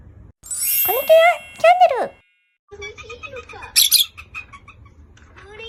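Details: Three rosy-faced lovebirds calling to one another, each voice slightly different; high, harsh chirps with downward sweeps, sharp screechy bursts, background music.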